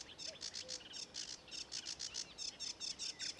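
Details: At Ilmatsalu on 26 May 2017, a sedge warbler sings a dry, rattling sequence of high clipped notes repeated rapidly, interspersed with brief chirpy slurs.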